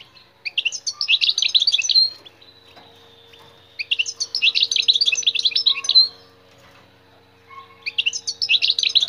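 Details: European goldfinch, wild-caught, singing for listening and to stimulate other birds: bursts of rapid twittering and tinkling notes lasting about two seconds, separated by pauses of roughly two seconds, with a faint steady low hum throughout.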